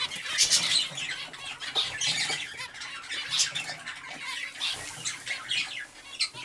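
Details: Many captive zebra finches in breeding cages chatter at once with short, nasal, toy-trumpet beeps and squeaks.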